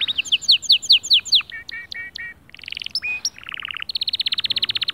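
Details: Song of a white male canary, used to stir other birds into singing: quick falling whistles, rounded warbled notes, a buzzy trill, then a fast, even high-pitched rattling trill.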